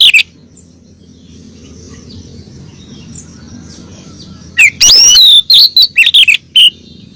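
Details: Female oriental magpie-robin calling the male, played as a lure to set a kept male singing; after a quiet stretch of low hum, a burst of loud, sweet whistled notes arrives, some rising, some falling, with short sharp chips.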